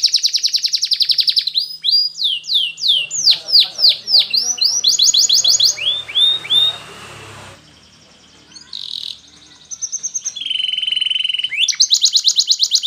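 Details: Domestic canary singing a training song: high buzzy rolls and chains of downswept whistles, a noisy rattling passage midway, a brief quieter pause, then steady whistled tones and a closing fast trill, with a faint low hum underneath.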